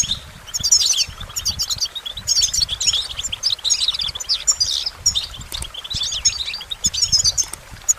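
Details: Goldfinch song: a fast, bright twittering of high chirps and short trills, delivered in dense bursts with brief pauses between phrases.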